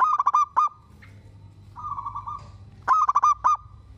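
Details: A local zebra dove in full song, said to make other doves answer, sings quick bursts of clipped, nasal cooing notes, then a rolling trill, with short pauses between phrases.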